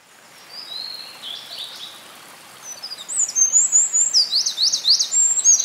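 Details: Winter wren in a field recording from Hinohara Tokyo Citizens' Forest, Hinohara Village, Tokyo, Japan, on 5 June 2011. Faint high notes open the clip, then a loud, very high, fast rattling trill with sweeping notes carries on to the end.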